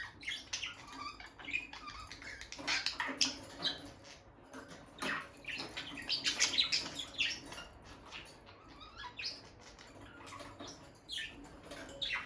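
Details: Bonded pair of peach-faced lovebirds near their nest box, the female entering and leaving it: dense bursts of high, scratchy chirps over steady rustling and watery background noise, with no talking or music.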